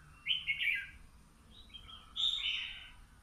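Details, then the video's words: Young red-whiskered bulbul, two months caged, sunning in the morning: two clear warbled whistled phrases, bright and slurred, each with quick rising and falling notes, separated by a pause of about a second; low background rumble. "Chào mào hót hay"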